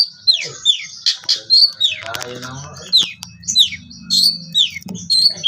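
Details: Young long-tailed shrike of the Priangan type, its spotted juvenile plumage moulting, giving scattered sharp downslurred high notes and short buzzy bursts between pauses, with clicking and low rumbling noise in the background.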